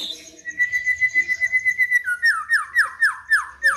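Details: White-rumped shama kept as a fighter bird, singing a lure song meant to provoke rivals: a fast, even string of identical whistled notes, then a run of descending whistled slurs repeated about four times a second.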